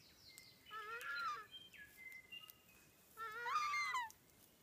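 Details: Takahe, one of three, in the predator-free open sanctuary of Tawharanui Regional Park north of Auckland, gives two loud, harsh, nasal honks about two seconds apart, each swelling and falling, with thin whistles from other birds in between.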